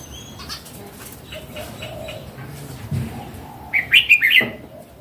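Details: Mature wild Red-whiskered bulbul ends with a fast, bubbly phrase of about five bright notes. Earlier there are soft distant chirps and low rustling.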